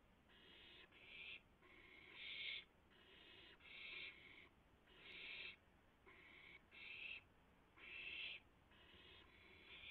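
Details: Owls at a nest at 3:38 AM on April 7, 2016, during a rabbit delivery, several owls feeding in turn; harsh, noisy hissing screeches, each under a second, repeated about every second with uneven spacing.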